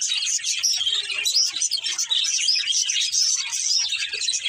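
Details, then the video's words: Breeding pair of budgerigars twittering rapidly, with bright whistled tweets and rasping chatter forming a continuous, slightly fluctuating stream. "Cute Budgies Chirping Sounds"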